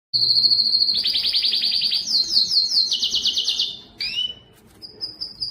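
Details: Strong canary song played to stimulate males to sing and challenge rivals: a steady high whistle breaks into rapid pulsed trills that step up and down in pitch, then a swift downward sweep and a thin closing whistle.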